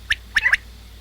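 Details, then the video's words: Common quail giving its three-note call: one sharp liquid note, then a short pause and a quick pair of bright notes, all at a mid-high pitch, with a faint low hum behind. "Batair awaz|Batair ki hobsort awaz|Batair video|Common quail|Quail sounds"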